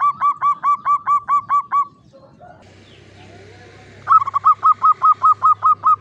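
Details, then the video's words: Local Javanese zebra dove kept in a classic Mataraman cage gives klowongan-style song, clear-voiced: two even runs of about eight rapid, ringing coo notes separated by a quiet pause with faint low hum. "SUARA PERKUTUT JAWA KLOWONGAN"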